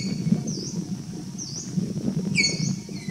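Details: Streak-throated woodpecker (Picus xanthopygaeus) at Kaziranga, Assam: one clear, sharp, high note rings out after soft swooping whistles, while a constant low rumble fills the background.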